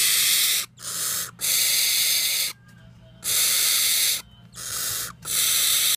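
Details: A barn owl chick gives long, harsh, breathy threat hisses at the camera, each about a second long, in close bursts with short silent breaks between them.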